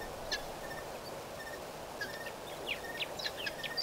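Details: White-fronted bee-eaters at Pete's Pond, 7 November 2012: short, sharp chirps and squeaky notes, several overlapping, scattered through the clip and denser toward the end, over a steady broad background hiss.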